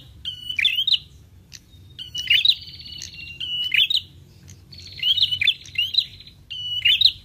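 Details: Prinia calls used as a lure that prinias answer. Bursts of high buzzing trills end in quick upward chirps, about five phrases in seven seconds with short silent gaps, over a soft low rumble.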